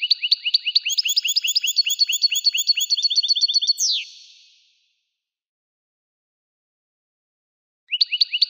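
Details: Goldfinch delivering a fast, tinkling string of rising chirps that grows busier over four seconds and closes with a drawn-out falling note, then silence before another brief burst of chirps.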